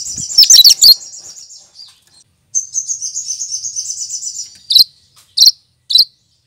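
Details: Leafbird, a green bird that copies other birds' voices, singing a rapid buzzy high trill with sharp chips at the start, then a long even pulsing trill, followed by three short, separate high chirps.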